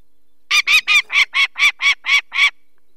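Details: Peregrine falcon, a female guarding her nest of four chicks in Poland's Barycz Valley on 2 May 2023, raising the alarm at people taking a chick: nine loud, grating kek calls in two seconds.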